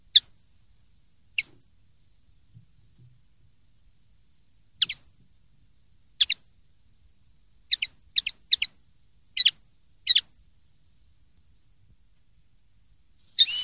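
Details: Common linnet, 2023/2024 clean-song recording made for silvestrismo training: scattered crisp high chirps, single and doubled, then a faster run of paired notes near the end, with a quiet background.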